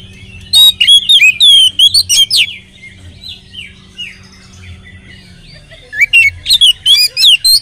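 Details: Loud, varied whistled phrases from an Oriental magpie-robin, sung as a lure to make others of its kind sing. Rapid looping notes open and close the clip, with soft chattering between and a low background hum.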